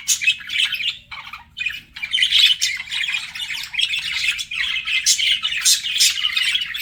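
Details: Pet budgies flirting, giving a steady stream of harsh, scratchy chirps and warbles with short squawks, nearly continuous with brief pauses around the first and second seconds.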